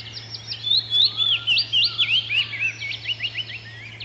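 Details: Icterine Warbler in the wild delivering a lively song of high, rapidly repeated zigzag notes and short whistled slurs, about four per second, loud and clear above a faint low hum.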